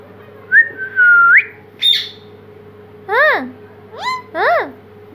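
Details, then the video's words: A pet talking parrot gives a clear rising whistle, a squawky note, then three harmonic-rich voice-like syllables, each rising and falling, under a steady low hum. "प्यारी आवाज में बोलने वाला तोता"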